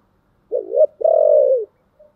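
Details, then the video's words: Spotted dove cooing in the 'giọng thổ' voice style, an urging and calling song: a short two-part mid-pitched coo, then a longer steady hoarse coo that slides downward at the end, clean and close with a faint final note. "cu gáy giọng thổ Thúc và gáy gọi hay"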